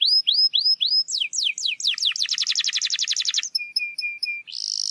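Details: Canary song for stimulating a quiet bird to start singing: repeated rising whistled slurs, falling sweeps speeding into a rapid rattling trill, then low flat chirps and a final high buzz.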